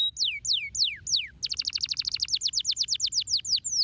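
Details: Singing canary gives four slow, sweeping downward whistles, then breaks into a rapid rolling trill of short repeated notes that gradually loosens into longer falling whistles. Only a soft low hum lies beneath.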